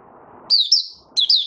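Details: A brief burst of high, slurred twittering from a male white-eye in song, two quick phrases after a moment of low background noise.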